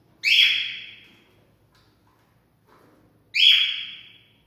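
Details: Cockatiel sound for mating stimulation: two loud, bright whistled calls with strong harmonics, each fading out slowly, about three seconds apart with quiet between.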